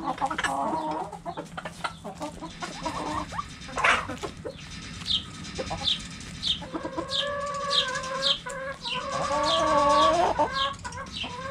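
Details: Backyard chickens clucking with drawn-out wavering calls, plus a series of short high chirps from chicks or small birds and knocks in the background.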